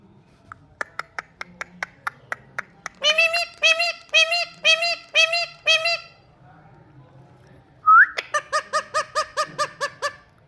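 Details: Talking Indian ringneck parrot: a run of sharp clicks, then a series of rough, harmonic-rich nasal notes repeated about twice a second, then a brief rising squeak followed by a steady train of shorter nasal notes.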